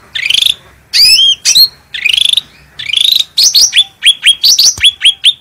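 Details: Bulbul known locally as cucak rante, singing loudly and clearly for a master recording: long rich warbled whistles with buzzy trills, then a rush of quick, sharp, downslurred chips repeated in a fast string.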